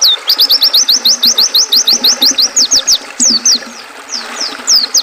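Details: A regular series of bright, high, downslurred chirps from an oriental white-eye, about three per second, breaks into looser swooping notes toward the end. A soft watery background accompanies it, as played to calm caged songbirds.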